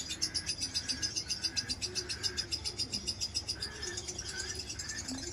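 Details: Lovebird chirping in a fast, even stream of high, pulsed notes, about three to four per second, with short mid-pitched whistled tones woven through and a soft low hum underneath.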